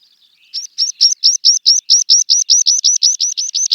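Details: Meadow pipit song: a few faint high notes, then a steady run of about seventeen high, thin, sharply rising notes at roughly five per second, each cleanly separated. The phrase grows slightly louder and continues to the end of the recording, with no other sounds.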